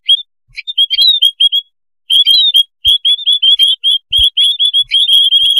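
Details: White-headed munias in a noisy colony, recorded for use as a trapping lure: many short, high, upslurred chirps overlapping in busy bursts, with a brief pause near two seconds before the chatter resumes.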